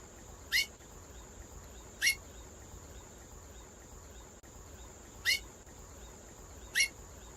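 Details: Female chestnut-bellied seed finch giving short, sharp rising chips, four in about seven seconds at roughly one-and-a-half-second gaps, over a steady faint hiss and a constant thin high-pitched whine.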